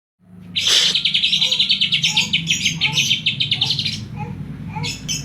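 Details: Greater green leafbird from Banyuwangi singing with a kapas tembak song fill: a dense, rapid stream of high chirps and trills, fast and uneven, over a steady low hum.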